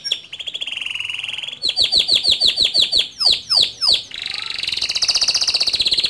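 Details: Male canary singing gacor, rolling ngerol and shooting nembak; a warbled trill, then a regular series of down-slurred whistles about three per second, deeper swoops, and a dense high buzzing roll.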